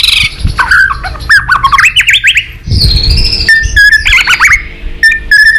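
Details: White-rumped shama in fighting song, tail-flicking toward a rival. Quick rising whistled slurs repeat in runs, broken by sharp clicks and low knocking sounds, and end in a series of short high notes.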